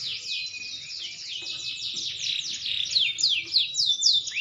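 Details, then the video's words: Song of a green canary growing into adulthood: fast, dense chatter of downward-slurred whistles, growing louder and clearer toward the end with bright, separated swooping notes. "burung kenari hijau makin dewasa wakin baik kicauan nya"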